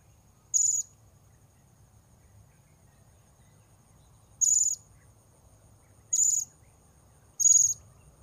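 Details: Blue-crowned hanging parrot recorded during luring of wild birds: four separate shrill, high, slightly buzzy notes, each about a third of a second long, spaced irregularly with quiet gaps between, over a faint low hum.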